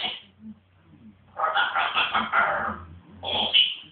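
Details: Pet African grey parrot behaving wildly indoors: a short shrill squawk, a quiet pause, then a long rasping, grating outburst and a final piercing high call, with a soft low hum behind.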